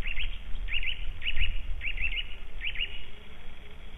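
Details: White-tailed eagle at its nest in Latvia in March 2012: sharp, high yelping notes in quick pairs and triplets, each note rising then falling, repeated in bursts about every half second, over a low rumble of wind noise.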